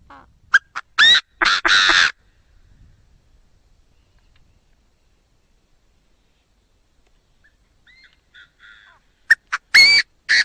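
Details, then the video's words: Chinese francolin repeating its phrase twice, separated by a long quiet gap. Short staccato notes lead into loud, harsh, rasping syllables with rising inflections. Faint softer notes are heard in between. "Tiếng chim đa đa gáy chuẩn"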